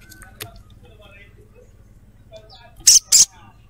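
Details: Female crimson sunbird calling a male; after a quiet start, two loud, piercing high chirps in quick succession near the end.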